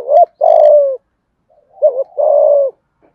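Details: Spotted dove with a thổ-style voice, used to lure wild doves, giving two phrases of a short dipping note followed by a long, slightly falling hoarse coo.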